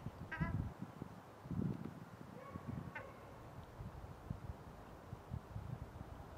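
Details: Female Ruddy shelduck (Tadorna ferruginea) in Ljubljana, Slovenia, 28 January 2023, gives two nasal, honking calls about two and a half seconds apart over a steady low rumble of city noise.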